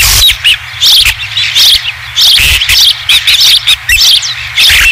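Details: At a ranch osprey nest on 20 July 2016, with the first fish returned, the birds give fast, squeaky chirps repeated about every half second over a low hum.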